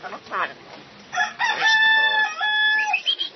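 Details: A talking crested myna gives a rooster-like, drawn-out crowing phrase with flat held notes after a few short chattering syllables, in a quiet indoor setting.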